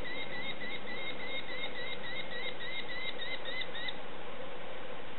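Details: Begging from hungry young sparrowhawks at feeding time: a fast series of short, thin, repeated notes for about four seconds, fading out and leaving constant background hiss.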